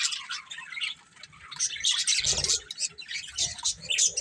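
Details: Colourful pet budgerigars chirping together, a busy mix of squawky, chattering notes high in pitch, overlapping and uneven, with brief louder bursts and a faint low rumble in the middle.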